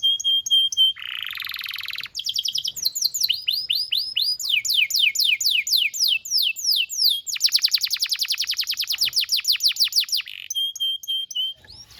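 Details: Vigorous singing canary on a training recording for young birds: clear whistled notes, a low buzzy trill, cascading arched notes, then a long, very rapid rolling trill before short whistles return.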